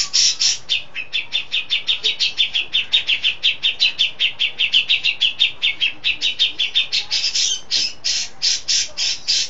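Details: Cucak jenggot, a caged songbird, singing steadily and loudly: a long run of rapid, evenly spaced chattering notes, roughly four per second, some sharper and higher near the start and end.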